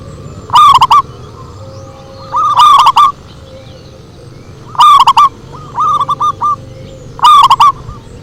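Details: Zebra dove cooing played as a lure: bursts of fast, rippling coo notes, each trailed by a shorter cluster of separate notes, repeated about every two and a half seconds, with distortion on the loudest notes and a faint steady tone.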